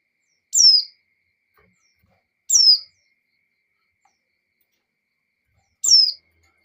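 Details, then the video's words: Calling for a male, a female white-eye in breeding condition utters three piercing, downward-slurred notes with uneven gaps between them against near silence. "Suara Pleci Betina Birahi Memanggil Jantan,Pleci Jantan Langsung Ngamuk"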